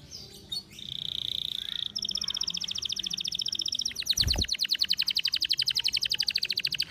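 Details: Canary described as over birahi, in strong breeding heat, singing: a steady high whistled note gives way to a long rapid buzzy trill of evenly repeated notes, about a dozen pulses a second, with a brief low thump.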